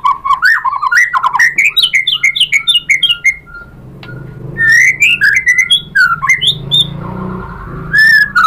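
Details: White-rumped shama singing clear whistled phrases: a fast bouncing series of mellow notes rising in pitch, a pause, then more varied whistles and chirps.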